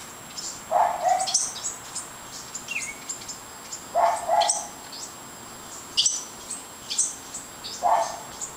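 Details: House wrens around fledglings leaving the nest give rapid, scratchy high chatters in quick bursts, several per second at times, with louder lower-pitched notes recurring roughly every three seconds.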